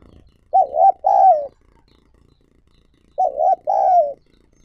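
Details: Decoy spotted dove luring wild doves repeats the same phrase twice, roughly 2.5 seconds apart: a bouncing double coo, then a drawn-out falling coo, against near silence.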